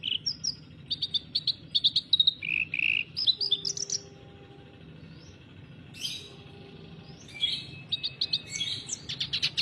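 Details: Clamorous reed warbler singing energetically: harsh, chattering bursts of rapid notes alternating with short squeaky whistles and churring phrases, delivered in uneven fast runs with brief pauses, high-pitched throughout.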